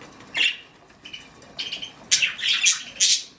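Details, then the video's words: Mother budgie on the nest: a single harsh chirp, a pause, then a rising run of scratchy squawks and twittering notes in the last two seconds, recorded indoors. "Momma Budgie On Duty"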